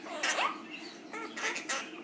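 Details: Two pet Quaker parrots learning to count and to sing a song made of the household cockatiels' names: soft, quick, speech-like chatter and squeaky syllables, with a rising whistle-like note early on, between a person's spoken prompts.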